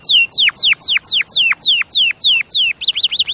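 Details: Canary singing loud downward-sweeping whistled notes in a steady series, ending with a quicker run of short rising-and-falling notes.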